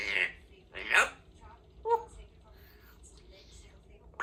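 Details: 2-year-old female Congo African grey parrot, a pet in a country home, practising words: three short, clipped, word-like utterances about a second apart, speech-like with harsh breathy edges, then quieter mumbling.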